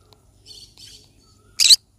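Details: Soft, scratchy chattering from a yellow-sided conure parrot, then one sudden, piercing harsh squawk at the end.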